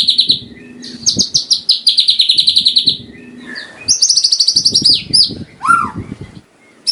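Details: Song of a white-rumped shama presented for tutoring caged birds before contests. High whistled phrases alternate with buzzy rattling trills, ending in a falling whistle. A low humming noise runs underneath, with soft knocking sounds toward the end.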